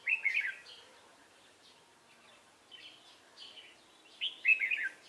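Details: Wild red-whiskered bulbul from Hòa Bình trapped with a decoy bird on 18 November 2017: a bubbling warbled burst, softer scattered chirps, then another loud rolling phrase at the end.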